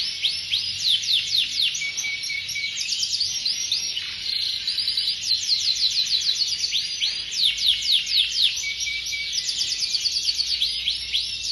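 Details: Canary song, one-minute recording: dense, continuous run of high rapid trills and sweeping whistled notes, shifting between phrases, over a steady high hiss.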